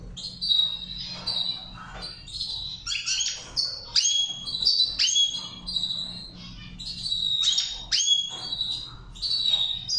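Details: Goldfinch singing during training, a fast continuous twittering of high chirps and sharp downslurred notes with buzzy trills, full of quick varied phrases and little pause, over a faint low hum.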